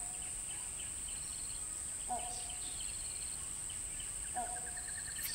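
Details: Great hornbill, known too as great Indian or great pied hornbill, giving two brief harmonic honks a little over two seconds apart, amid constant insect whine and scattered thin bird chirps.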